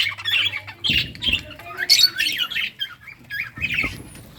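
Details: Budgerigars playing, giving scratchy warbled chirps and squawks in uneven bursts, with thumps and rustling from movement between calls.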